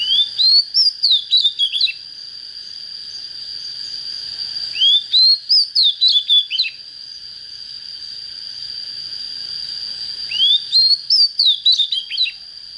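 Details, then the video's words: Oriental magpie-robin, young and just coming into breeding condition, repeating a brief phrase three times: upslurred whistles then rapid falling notes, each phrase lasting about two seconds, with a constant thin high tone running underneath. "Chích chòe than mộc CHỚM LỬA || có chất GIỌNG CHUẨN"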